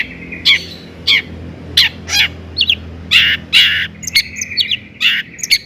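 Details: Long-tailed shrike in lively song, intended to provoke rival shrikes. Scattered harsh chirps and short whistled phrases sit over a steady low hum.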